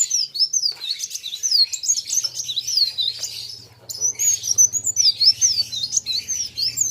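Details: Kolibri wulung sunbird singing hard against a rival: dense, high, twittering song of rapid thin whistles and wavy slurred notes, with a short pause before the outpouring resumes; a faint low hum runs underneath.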